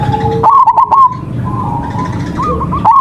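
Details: Zebra dove of a local strain, singing eagerly as bait to set off other birds: short warbled coo runs that rise slightly and pause, with a few faint clicks and a low steady hum.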